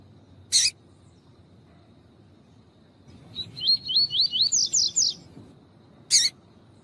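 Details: Double-collared seedeaters kept by breeders, female calling to warm up the male: sharp chip, then a rapid series of about eight high swooping notes that climb in pitch, then another sharp chip.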